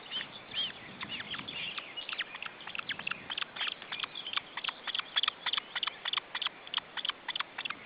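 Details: Osprey chicks at an Estonian nest being fed, June 2012: a few drawn, slurred whistles at first, then a rapid chatter of short high chips, about three per second, growing louder.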